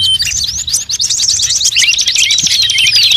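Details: Lure sound for attracting birds of every kind: a steady, busy stream of high twittering chirps and short swooping whistles, run together without a break.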